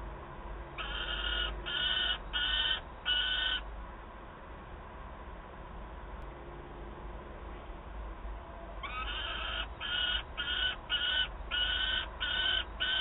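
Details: A young peregrine falcon at Wałbrzych, Poland, on 9 August 2022, complaining to its mother for food: four grating, strident cries, a silence of about five seconds, then a quicker run of about eight more, against a quiet low rumble.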